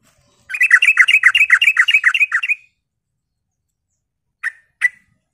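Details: Sooty-headed bulbul lure song, meant to make other bulbuls answer: a fast, even chattering run of about fifteen bright notes lasting two seconds, then a pause and two short sharp chips.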